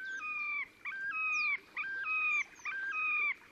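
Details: Display song of a Terek sandpiper near the Pra river, Oka Nature Reserve, Russia, 30 April 2019: rhythmic bright whistled phrases with a yodel-like step up and down, about four in under four seconds, evenly spaced.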